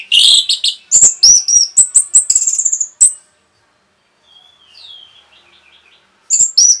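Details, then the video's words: Orange-headed thrush in rapid 'rapet' song used to provoke other birds: a fast run of loud, varied high chirps and whistles for three seconds, a quiet pause with soft twittering, then the loud phrases resume. "SUARA RAPET ANIS MERAH BIKIN EMOSI BURUNG"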